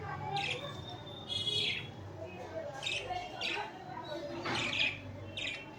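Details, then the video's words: Budgerigars cuddling and fighting chirp repeatedly, about seven quick high notes spread irregularly across the stretch, some slightly slurred, over faint indoor background noise. "Budgie chripping"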